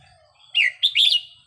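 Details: Training recording of a red-whiskered bulbul: a loud, lively phrase of slurred whistles, one falling note followed by a rapid, rollicking cluster of bright chirps.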